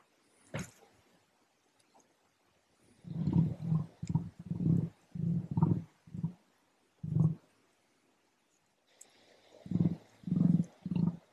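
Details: Emu in Western Australia giving deep, resonant thumping booms, a dozen pulses in irregular bursts, each a low drumming thud; a short click opens the clip.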